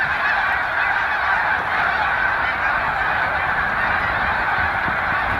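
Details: Snow Geese in large flocks on Cayuga Lake, New York, stopping over on spring migration, 20 March 2021; countless overlapping nasal calls merge into one continuous, even roar.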